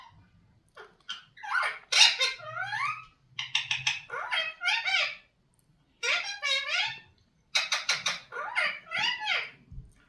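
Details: Indian ringneck parrot talking: runs of raspy, speech-like syllables with wavering, bending tones, grouped into short bursts separated by brief pauses, with a faint low hum in the background.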